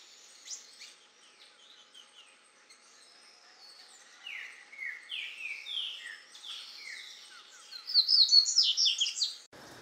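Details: A male double-collared seedeater (coleirinho), feeding on grass seeds in Caparaó National Park, Alto Caparaó, Brazil, 9 January 2017, 09:14, sings a fast, high jumble of sweet notes and rising slurred whistles, building to louder twittering; a green-winged saltator sings in the background.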